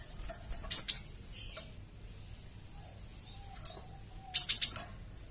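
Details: Java sparrow lure call used to provoke other birds into answering: two sharp high chirps early, then a quick run of three bright chirps near the end, with quiet gaps between.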